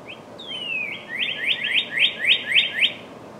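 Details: Red cardinal singing in spring to find a mate: one long whistled note sliding down, then a fast series of about seven rising, slurred whistles, evenly repeated and growing louder, over low background hum.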